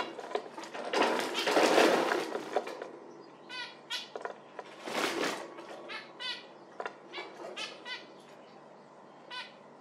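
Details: Zebra finch calling, with short nasal, harmonic-rich notes sounding irregularly through the second half, after loud rustling, flapping bursts near the start and again around five seconds.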